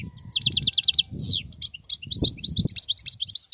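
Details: Wild European goldfinch twittering in quick bright notes with a short slurred sweep, accompanied by noticeable low rumbling noise throughout.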